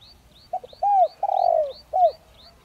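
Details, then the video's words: Spotted dove in the 'Đồng Rặc' voice style, used as a caller to provoke rival doves. One phrase of a short double note, an arched coo, a long trembling downslurred coo and a final arc. Thin rising chirps from another bird repeat steadily. "Chim cu gáy Giọng Đồng Rặc kích bổi nhanh nổi/cu gáy mồi cây kích bổi nhanh gáy"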